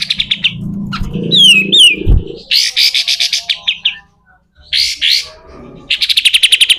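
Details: Kapas tembak, the pied triller, with short trills, falling whistled slurs and harsh rasping bursts, ending in a fast even rattle; a low hum sounds beneath the opening.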